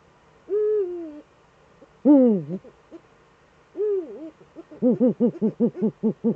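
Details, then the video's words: Eurasian eagle-owls in the Eifel, Germany, both birds back, evening of 11 March 2013; a low drawn-out note, a loud falling call, a wavering note, then a fast run of about ten short low notes. "beide Uhus wieder da.."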